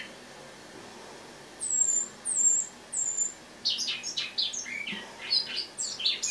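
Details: Eurasian blackcap kept in a cage indoors, singing in autumn on the morning of 1 October 2017: three thin, high, slightly falling whistles, then a busy burst of scratchy, twittering warbled notes.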